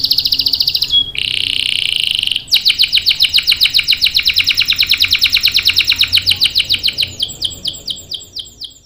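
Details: Canary singing to draw other canaries into long rolling song: a high buzzy trill, a lower harsh buzz, then a long, loud run of rapid, evenly spaced chirps that fade into softer high sweeps.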